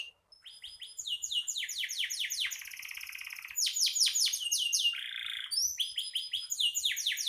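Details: Vigorously singing canary delivering fast rolling trills of downward-sweeping notes, a steady buzzy tour in the middle, a short lower warble, then high whistled notes and more quick descending runs.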